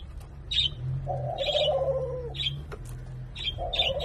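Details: A Senegal dove and ringneck dove hybrid, possibly second generation, kept in Thailand, coos during courtship with a long, low, humming coo and a brief second coo. Sharp chirps from other small birds repeat over it.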